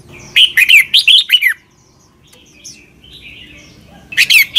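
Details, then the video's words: Red-whiskered bulbul from Thailand with a doubled southern master-style song, played for young birds to imitate. A loud phrase of rapid fluty, down-slurred notes, soft distant chirps in the pause, then a fresh phrase starting. "เสียงนกกรงหัวจุก เบิ้ล แม่บทใต้"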